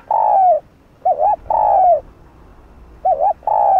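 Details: Spotted dove call for stirring up and training decoy birds; long level coos about half a second each alternate with short wavering two-part coos, repeated in a steady cycle, loud and clean with little background.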